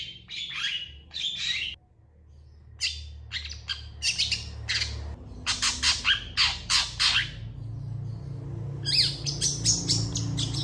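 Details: Long-tailed shrike in loud, long full song while other shrikes respond: clusters of harsh scratchy notes with short pauses, building into a rapid series near the end, with a low hum behind.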